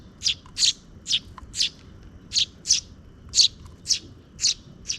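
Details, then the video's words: Two sparrow chicks fed by a parent bird close to dusk; a steady run of loud high chirps, about two per second, rhythmic and insistent, over a quiet background. "The two chicks being fed by the parent bird near dusk are cute."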